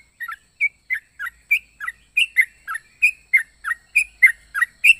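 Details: Yellow-vented bulbul giving an unusual, varied song: a steady string of short, bright chirped notes, some rising and some dropping, repeated about every third of a second with tiny pauses. No other sounds.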